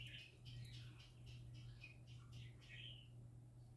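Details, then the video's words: Singing parakeets, described as happy, give a continuous stream of quick, squeaky warbled chirps, a fairly even chatter over a constant low hum. "Parakeets Singing Happy Parakeets Parakeet Sounds"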